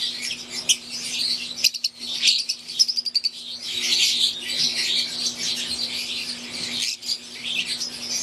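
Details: Flock of caged wild-type green and Euwing Fischer's lovebirds: high, excited chirping chorus interrupted around two to three seconds by a run of quick repeated ticks, then resuming as dense overlapping squeaks over a low hum.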